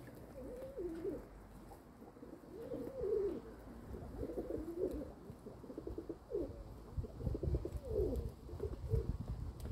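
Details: Kept domestic pigeons, 27 May 2022, giving a series of low, throaty coos in separate bursts roughly every second or two, each phrase bending up and down, over a soft low rumble.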